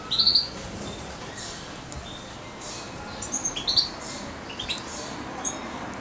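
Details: European goldfinch, a young hand-reared bird about two months old, near its owner; a short high twitter opens, then sparse thin chirps follow after a pause, over faint hiss.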